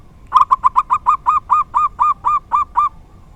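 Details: Local zebra dove delivering the uncommon 'dor tak kowor kowor' song: quick stuttering coos that slow into longer, drawn-out looping notes, about twelve in all, in a quiet setting.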